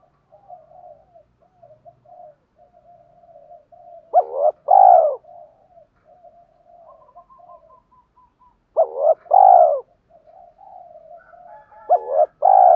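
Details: Spotted dove calling, urging and cooing in the 'hạp bổi' voice. Soft, low, wavering murmurs run throughout, broken three times by a loud phrase of a short hooked note followed by a rich, sustained coo.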